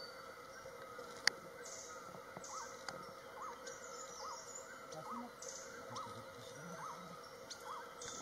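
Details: A Beautiful Nuthatch calling in Bhutan, eastern Himalayas, in spring: a strange, insect-like, soft arched mid-pitched note repeated about every three-quarters of a second, over a steady high insect hum and faint forest noise.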